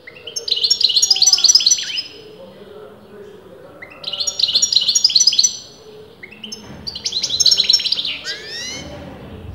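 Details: Captive European goldfinch whose sex breeders disagree on, giving three lively bursts of high, tinkling twitter with quick repeated notes, the last ending in buzzy downward slurs; faint low background murmur between phrases.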